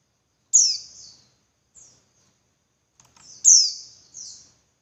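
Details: Female Javan white-eye calling to provoke caged males into singing harder; high, thin downslurred notes near the top of hearing, a sharp loud chip followed by a softer trailing tail, repeated after about three seconds, with quiet short notes between.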